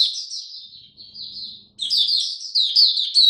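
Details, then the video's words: Oriental white-eye kept as a hobby songbird, cold rainy weather: thin high warbling trills fade out, then a louder burst of quick sharp chirps and sweeping notes resumes. "Mata Puteh Buka Sing Raja"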